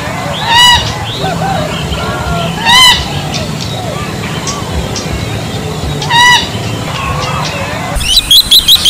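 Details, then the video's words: Bronze-winged jacana giving three loud, nasal, rising calls, spaced two to three seconds apart, over a busy chorus of other birds and a low background murmur. "เสียงนกพริก Bronze-Winged Jacana Sound"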